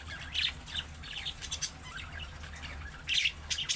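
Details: Budgerigar calls intended to set off replies from pet budgies: scattered thin high chirps and short warbles, a louder twittering burst near the end, steady low hum beneath.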